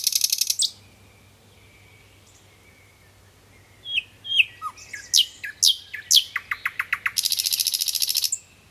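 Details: A singing nightingale opens with a buzzy high rattle, then a long soft whistle. Sharp slurred notes and a dipping low note lead into a quickening run of clipped repeated notes. It closes with a dense churring trill, over a faint low hum.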